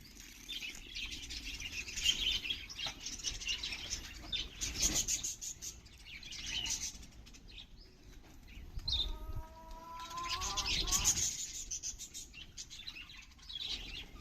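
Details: Pet budgerigars bathing give quick, high, scratchy chirps and chatter amid splashing and fluttering wings.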